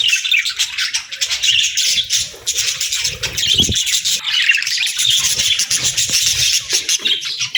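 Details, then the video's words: Continuous busy budgerigar chatter, a thick layer of rasping, twittering chirps with soft low thumps underneath. "Budgie Singing & Chirping Sounds"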